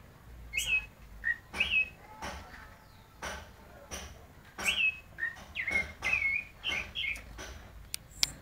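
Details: At midday, a White-necked thrush sings a little, giving short, clear whistled phrases with slurred rising and falling notes, spaced irregularly, among sharp knocking and clicking noises.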